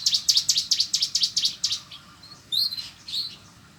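A prinia gives a fast run of high, dry chirps, about seven in a second and a half, then a few brighter twittering notes.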